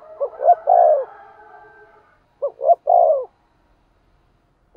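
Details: Decoy spotted dove cooing in two phrases, each of short rising notes ending in a long falling coo, with a faint hum under the first phrase and near silence between.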